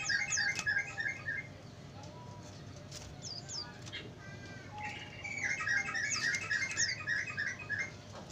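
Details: Lure recording of sooty-headed bulbul song for attracting wild birds: two loud groups of fast, bubbly, repeated chirping notes, separated by quieter scattered whistles, with a faint constant hum underneath.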